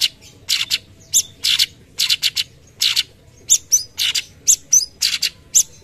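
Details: Cucak cungkok singing actively in "tembakan" tutor-song style: grating chatter notes, then a livelier stretch of high whistled flicks mixed with buzzy bursts.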